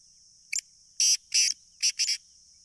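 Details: Sindhi black francolin giving a vigorous call on 30 June 2023, one clipped lead-in note followed by two paired groups of loud, rasping, grating bursts, with a constant high hiss behind.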